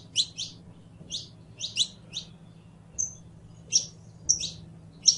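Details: Bright chirping song of a Saffron finch: clusters of sharp high notes, a single thin whistle near the middle, then more chirps, steady low hum underneath.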